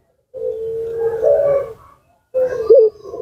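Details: Low sustained coo from a puter pelung dove kept as a lure to draw replies from other doves. The long steady note wavers slightly near its end. After a pause comes a shorter coo with a brief bright accent.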